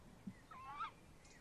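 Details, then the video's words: Tawny owl at a nest box, 30 May 2015, 21:45, with male and female near the box: a single wavering, slightly falling tonal call with a faint upper harmonic, quiet against soft background hiss. "Bosuil M in de kast V buiten uilen lang te horen"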